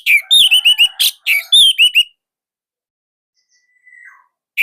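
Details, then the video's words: Orange-headed thrush from Indonesia delivers a loud, dense master song: a fast series of ringing, down-slurred whistles over about two seconds, then quiet, a faint thin whistle, and the start of another phrase. "Anis Merah Indonesia//Gacor Nonstop."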